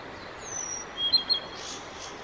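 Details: Male Blue-and-white flycatcher singing: a thin high whistle, then two short clipped double notes, followed by brief soft high rustles, over a steady quiet background.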